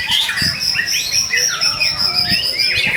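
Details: White-rumped shama in energetic song, used to provoke other shamas into singing: rapid, high, sharply modulated whistles and trills crowded densely together, with occasional soft thumps.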